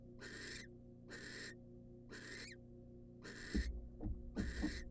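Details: Wild barn owl female at a nest box as the male delivers a rat: five raspy, noisy hisses in steady succession, then low thumps and knocks near the end, with constant background hum.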